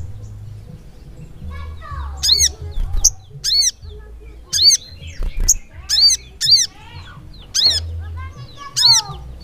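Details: Sooty-headed bulbul (sogok ontong) in persistent 'gacor ngleper' song: a steady run of short, bright, ringing notes with a chevron-like pitch turn, about eight bursts in nine seconds over a low background hum.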